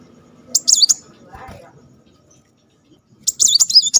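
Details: Short high-pitched zigzag trills from a Kolibri Muncang (brown-throated sunbird) in shooting-style "tembakan" song, two brief bursts separated by near silence with a faint soft note in the gap.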